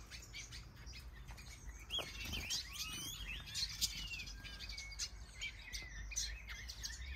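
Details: Many captive finches, softbills, canaries and other species in a large planted aviary in Denmark during breeding season, with eggs and chicks present. High twittering chirps overlap throughout, some slurred whistles rise and fall, over a steady low rumble.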